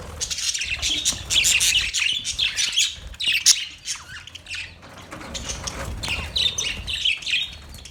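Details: Several budgies keep up a rapid stream of scratchy chirps and squawks, loudest in the first half, then easing into softer twittering.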